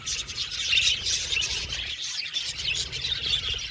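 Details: Several happy budgies in an aviary, chirping and twittering in overlapping bursts, a brief dip in the chatter near the middle before the busy high tweeting resumes.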